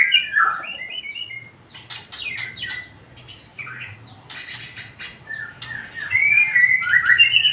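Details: White-rumped shama with a 20 cm tail, singing a loud, clear song: varied whistled phrases and rapid chattering notes, with sharp high clicks mid-clip and fluid warbles toward the end.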